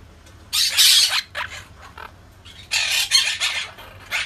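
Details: Monk parakeet giving loud, harsh screeching squawks in two dense bursts separated by a short pause, with shorter chattering notes between them.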